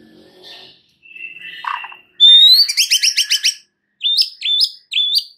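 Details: White-rumped shama song played as a lure to make another shama sing its full repertoire: soft opening notes, a steady whistle, then a fast burst of repeated sharp chips and three loud upslurred whistles.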